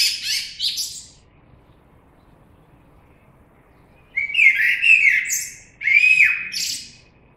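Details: Common blackbird: a high scratchy twitter fades out, then after a long quiet gap come two phrases of melodious low whistles, each ending in a thin, high flourish.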